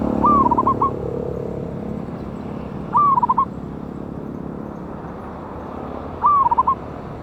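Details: Wild local zebra dove (perkutut), loud-voiced, recorded 11/8/24 as a lure call: three cooing phrases roughly three seconds apart, each opening with a long falling note and ending in a rapid trill of short coos, with background hiss.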